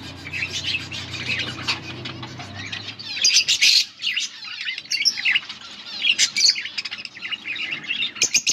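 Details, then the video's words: A group of colourful budgies chirping: steady overlapping chatter of high chirps and warbled notes, a low hum fading out after the first few seconds. "Beautiful budgies colour budgies chirping sounds"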